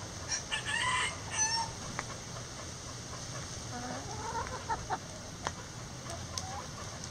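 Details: Backyard chickens relaxing in their coop give harmonic clucks and short squawky calls, clustered in the first two seconds, then softer scattered notes with faint clicks and steady background hiss.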